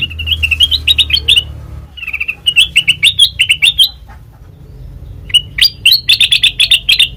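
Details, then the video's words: Black-crested bulbul song for trapping, with repeated lively phrases of bright, slightly rising chirps broken by short pauses, ending in a fast chattering run. "Suara Asli Kutilang Emas Pancingan Pikat Masteran"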